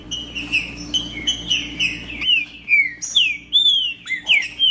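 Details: Wild green-winged saltator singing in the bush: loud clear whistled phrases, each slurring downward with bright overtones, given about twice a second in a brisk uneven series over a low steady hum.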